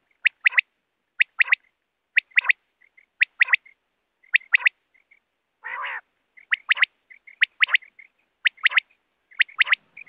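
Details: Quail from the wild, called in for netting: crisp paired notes about once a second, each followed by soft whistled pips, with one harsh buzzy burst midway; no other sounds.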